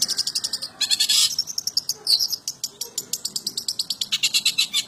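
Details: Long-tailed shrike singing old-style song material: rapid series of sharp, high chirps and clicks repeated several times per second, with brief buzzy bursts near the start and in the middle.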